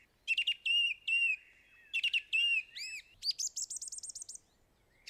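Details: Song thrush song with a whistled phrase that slurs downward. The phrase is given and then repeated, with short chirps between. Next comes a sequence of arched notes and a fast, high trill of repeated notes. A single note follows after a pause. The setting is quiet.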